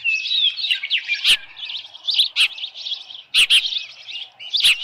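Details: Ospreys at a nest at Dunrovin Ranch on 10 June 2018, 6:41 PM, with a headless fish: a steady stream of high, whistled chirping calls, some rising and falling, with sharp broadband knocks at about 1.3, 2.4 and 3.4 seconds.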